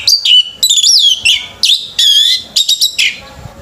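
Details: Loud, near-continuous song of an orange-headed thrush at a singing competition: rich whistled phrases sliding up and down, mixed with quick chattering notes, with hardly any gaps and little background.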